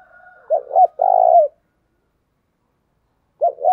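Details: Lure spotted dove used to draw in wild birds, cooing in a deep soft voice: two quick coos then a longer held coo, repeating after a two-second pause.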